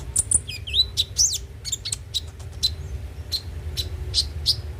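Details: Konin (kolibri ninja) song used to prompt birds to sing: a burst of high squeaky whistles and chirps, then evenly spaced single high pips, with a low background hum.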